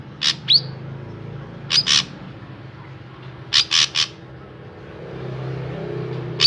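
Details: Drongo singing to lure other drongos into song: short clusters of two or three loud harsh, scratchy notes spaced about two seconds apart, with a brief sharp upslurred note after the first, against a low hum.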